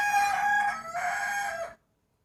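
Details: A rooster crows in the morning ahead of New Year 2020; a loud, rich harmonic crow of under two seconds, steady then sliding down at its close, followed by silence.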